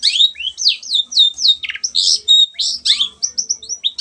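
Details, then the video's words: Long-tailed shrike singing vigorously, used as a lure to get silent birds singing: a dense, fast run of high whistled slurs, downward sweeps and chattering notes packed tightly together, with no pauses and no other sounds. "CENDET GACOR PANCINGAN MENGATASI BURUNG MACET ATAU BAHAN AGAR RAJIN BUNYI"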